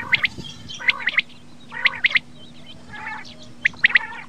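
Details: Common quail calling with short, sharp three-note phrases of clipped mid-high notes, each burst repeated about once a second with brief pauses between, plus faint softer chatter in the background.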